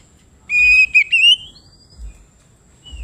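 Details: Kacer (Oriental magpie-robin) in open 'ngeplong' song, said to call rivals: one long steady whistle, a short break, then a rising slurred whistle, followed by quiet with faint low rumbling.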